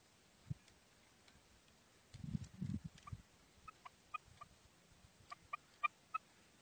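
A female quail gives short, clipped mid-pitched notes, often in quick pairs, about two per second, after a few low dull thumps.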